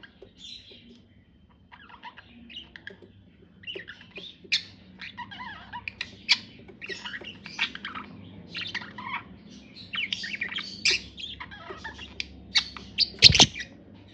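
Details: Budgerigar singing in a courtship approach: quiet start, then rapid chattering warble of clicks, squeaks and buzzy chirps growing busier and louder, with a sharp loud tap near the end.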